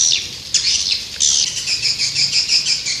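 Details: White-nest swiftlet calling sound meant to attract the birds, a high, continuous chirping chorus with quick pulsing notes about three per second.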